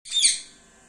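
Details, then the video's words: A pet Indian parrot indoors gives a single short, bright, high chirp that peaks quickly and fades within a third of a second, leaving a faint steady hiss in a quiet small room. "Parrot Chirping Sound"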